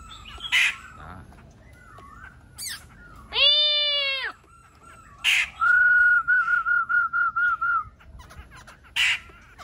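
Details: Laughingthrush song: sharp clicks, a loud harsh harmonic squawk lasting about half a second, then a quick run of about ten clear whistled notes on one pitch, with more clicks at the end.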